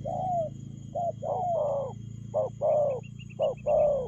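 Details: Spotted dove delivering quick 'lèo gù' coos: a falling coo, then short notes and longer full-throated coos in an uneven run, with a thin series of high chirps from a small bird and a low background hum.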